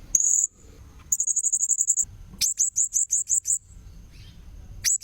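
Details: Blue-crowned hanging parrot lure recording: a short, shrill opening burst, then a fast, high trill lasting about a second, then slower spaced sharp notes, and a final quick chip.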